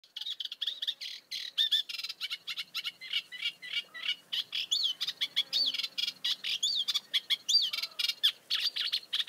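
Great reed warblers chatter in a steady run of short, scratchy notes mixed with higher squeaky whistles, with no pause for nine seconds.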